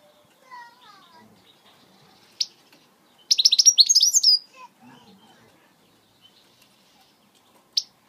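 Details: European goldfinch from Britain singing switty notes, a quick burst of high, bright, buzzy twitters for about a second, with faint lower chirps before and a few sharp isolated clicks around it.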